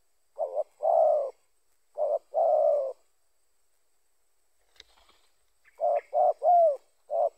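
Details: A spotted dove gives repeated coo phrases, used to attract other spotted doves: short paired notes followed by longer sustained coos, then a faint click mid-way before a final run of quick coos with a slurred note.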